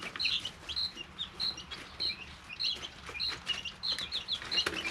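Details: Three-week-old chicks in a brooder, a flock peeping with short high chirps at a steady pace, some slurred downward, over a low constant hum.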